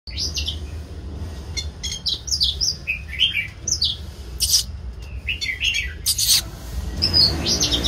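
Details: Oriental magpie-robin singing while dancing: bright high whistled phrases, short rising and falling notes and sharp clicks in loose bursts, with a low steady hum underneath.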